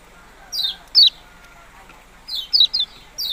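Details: Yellow-bellied prinia producing high, steeply falling chirps, a pair early on, then a rapid run of three after a pause of over a second.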